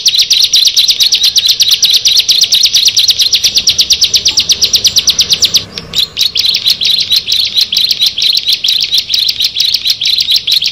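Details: Six bar-winged prinias (ciblek) gathered together. High, rapid chattering trills pour out nonstop; a brief lull comes near the middle before the fast, shrill notes resume.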